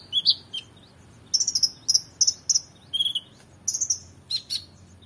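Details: Oriental magpie-robin in full, energetic song, used as a tutor for competition birds: high whistled notes and short rapid chattering bursts in clusters, with gaps of quiet between phrases.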